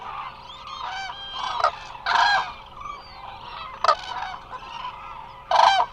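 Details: Many Eurasian cranes resting together at Hula Nature Reserve in Israel, heard through a live camera; a steady babble of distant bugling gives way to louder rattling trumpet bursts at about two, four and five and a half seconds.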